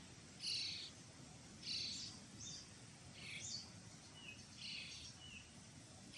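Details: Common starling chicks being fed, Pärnu, 1 July 2025: short scratchy rasping notes repeat roughly every second over a steady background hiss, some notes louder and some softer and higher.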